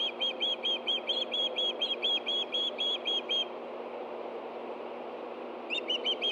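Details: Osprey calls from a Montana Osprey Project nest camera at Hellgate Canyon, 24 August 2013, during a fish delivery to two hungry birds: a fast string of high, evenly spaced chirps, a short pause, then the chirping resumes.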